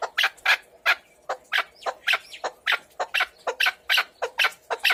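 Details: Chukar partridge calling in a fast series of sharp, harsh notes, about three per second, each note broad and rasping, sometimes doubled, with a steady, even rhythm and no other clear sounds.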